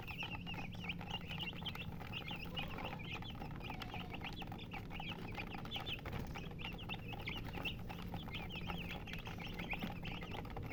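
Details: Chickens (murgi), described as colored hens, chirping: many overlapping high, downward-slurred peeps repeated rapidly and steadily throughout, over a constant low hum.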